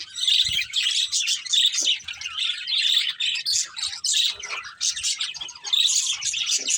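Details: Budgerigars, a breeding pair, produce a busy stream of high chattering chirps and warbles in pulsing phrases, with occasional faint low taps.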